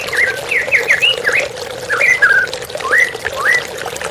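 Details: White-rumped shama singing beside running water: a burst of bouncy, looping whistled notes, a short pause, then a few slurred phrases and a rising whistle.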